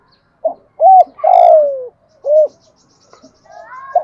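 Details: Decoy spotted dove used to stir wild doves into cooing and coming in, singing in the thổ bầu voice style: short clipped notes, an arched coo, then a long coo sliding downward, followed by another arched note and faint chatter.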